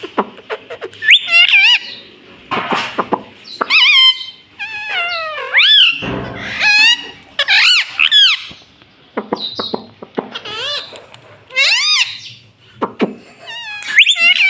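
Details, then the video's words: A talking pet ringneck parrot chatters in a long run of bright, warbling, slurred syllables, bending up and down in pitch, with quick sharp clicks between phrases and a few brief silences. "Talking Parrot Mummy"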